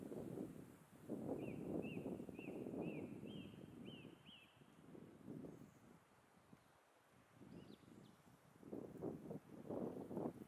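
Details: Two female Black Woodpeckers in ritualized antagonistic conflict; a run of about seven sharp, high, clipped notes at a steady quick pace, half-buried under loud bursts of rustling and wind.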